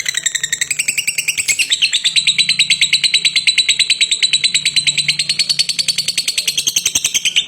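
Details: Lovebird in a long, unbroken ngekek, a dense machine-gun chatter of sharp pulses about three per second, its pitch rising early and then holding level and piercing for over seven seconds.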